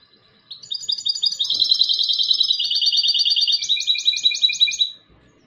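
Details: European goldfinch hybrid singing a bright, rapid warble: dense runs of fast repeated high notes in shifting blocks, ending in a burst of quick metallic trills, with a quiet background.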